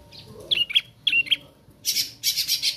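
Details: Young bar-winged prinia learning to sing: two pairs of short, sharp whistled chirps near the start, then two bursts of harsh, buzzy, high-pitched rasping notes toward the end.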